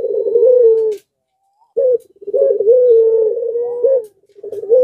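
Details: Breeding-condition puter pelung dove cooing loudly enough to set off other doves nearby: rolled, trilled starts run into a long, steady, slightly falling coo, with one phrase cut short after a silent gap.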